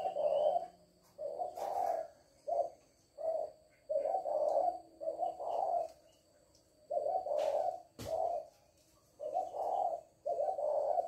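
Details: Hen spotted dove in "lối" calling, repeating soft, husky coos in groups of two and three separated by brief pauses over about eleven seconds, a sharp click near the end and a faint background hum.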